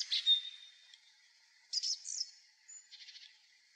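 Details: Song thrush singing from the top of a tall pine by a former railway crossing, after 6 pm on 3 April 2023: a sharp whistled note, a cluster of rich chirps, then a quick run of about six clipped notes.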